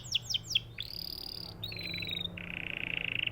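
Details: Canary song: a run of three quick descending chirps, then a sustained whistled note, a buzzy mid-pitched phrase and a rapid trill, high and bright throughout.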